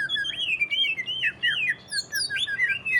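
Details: Greater green leafbird singing in the ngentrok style, used to stimulate other leafbirds to sing: quick slurred whistles and looping rising-falling notes run together with faint background hum.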